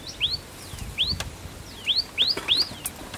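Common tailorbird giving loud, sharp upslurred notes, about five in three seconds, at an uneven pace, with faint down-slurred notes between them.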